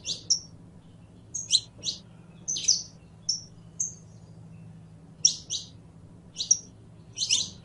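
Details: Saffron finch song, canario criollo: a lively string of high chirps and short pure whistles, evenly scattered across several seconds, faint hum underneath.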